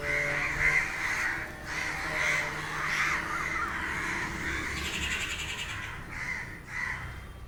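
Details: Crows crying restlessly at noon, with a crowd of birds disturbed for unclear reasons. Hoarse caws repeat in quick, uneven succession. A buzzy, high-pitched chattering burst rises midway through.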